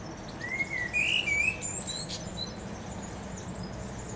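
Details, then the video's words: Blackbird perched at a treetop delivers a mellow whistled warble that rises and dips, followed by a few faint high twittering notes, then fades into soft background noise. "IL canto del merlo"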